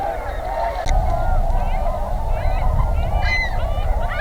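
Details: Tundra Swans at a spring migration stopover near Pinery Provincial Park, Ontario, heading north to breed; a dense chorus of overlapping honking, whooping calls from many birds over strong low wind rumble.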